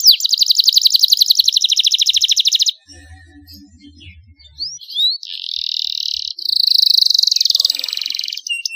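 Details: Canary tutor song in the luxurious cengkok mewah style: a rapid high trill for almost three seconds, a quieter gap with faint low sounds, then buzzy sustained high notes and a dense shimmering trill.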